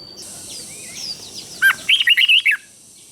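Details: Red-whiskered bulbul, a Thai cage bird, singing southern master-style song for exciting other bulbuls and training chicks: soft chirps from other birds, then a crisp phrase of a low note and five quick rising-falling whistles.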